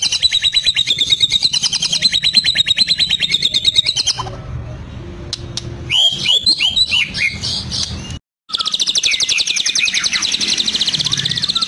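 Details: Caged Medan white-rumped shama imitating lovebird, canary and cililin: a long rapid pulsing chatter of about three notes per second, a pause with a few sweeping whistles, a brief silence, then the harsh pulsed chatter resumes.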